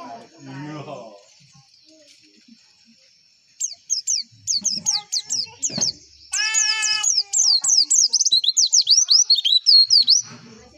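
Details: White-eye song used as a lure for caged songbirds: low harmonic calls first, then steadily quickening high, down-slurred whistled notes, briefly overlapped by a lower stacked call.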